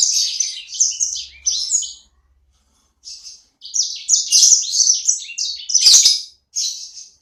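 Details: Little sanger bird in full active song (gacor). Sharp, high twitters come in two phrases split by a one-second silence. The second phrase is louder and busier, and a last short note closes it.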